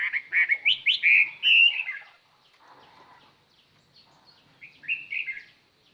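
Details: Chinese hwamei singing to lure other birds: a run of loud rising whistled notes and slurred phrases, a quiet pause, then a few more rising whistles.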